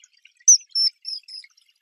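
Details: Ringed kingfisher (Martim-pescador-grande) from Brazil: three quick high chirps, loud sharp notes in a brief burst, with a clean background.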